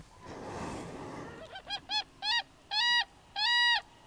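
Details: A common crane in courtship display in the Schlaubetal, Germany, gives loud, rich trumpeting calls, first short and quick, then two longer drawn-out notes, after a second of rustling.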